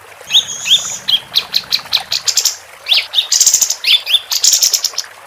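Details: Capped white-eye female singing energetically as training material for competition songbirds; quick upslurred whistles mixed with dense, high, rattling chatter, running almost continuously, with a faint low hum at the start.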